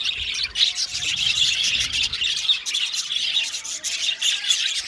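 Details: Budgerigars in an aviary colony, a dense continuous chatter of overlapping high chirps and warbles that barely pauses over five seconds.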